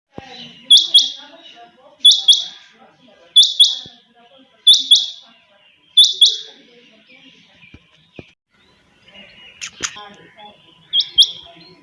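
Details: Chinga batair quail kept by its owner, calling early in the morning: sharp high double notes repeated about every 1.3 seconds in five even phrases, then a pause with faint rustling and a click before one more pair.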